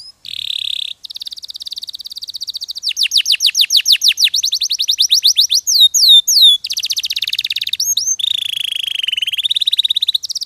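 A canary sings a long, continuous song of rapid trills, buzzy rolls and clear upslurred whistles, changing phrase every second or two, all high-pitched.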